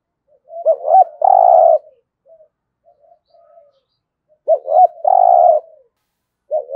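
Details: Spotted dove used as a decoy to attract wild doves, giọng thổ style cooing: paired hooked notes then a long hollow coo, repeated after roughly four seconds, faint murmured coos between and a new phrase starting at the end.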